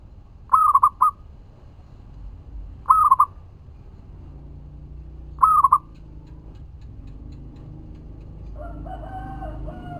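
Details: Zebra dove, a local bird, sings three quick trilled coo phrases about two and a half seconds apart, then a low drone and a harsher layered call take over; played as a lure to draw answers.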